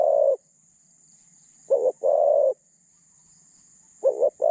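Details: Decoy spotted dove, caged for luring wild doves, with a medium-pitched voice and thin phrasing, gives low hollow coos: a stuttered double note followed by a longer held note, phrases about two seconds apart, a steady hiss behind.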